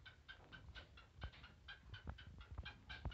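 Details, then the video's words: Kala teetar, the black francolin, calling in a quick series of short grating notes about two per second, with uneven spacing, over loud low-pitched background rumble and occasional thumps. "Kala teetar speaking funny"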